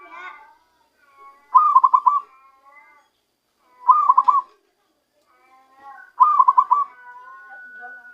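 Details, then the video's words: Zebra dove, wild-caught with a decoy, starting to give its natural voice: three short rolling coos of rapid pulsed notes, one every two to three seconds, with faint softer calls and a thin steady whistle between them. "ketika perkutut hasil pikat mulai keluarkan suara asli nya"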